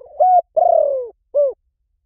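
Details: Spotted dove lure call for decoy trapping, joined mid-phrase: a level hollow coo, then a long vibrating coo that falls in pitch, then a short rounded final note, with nothing else audible.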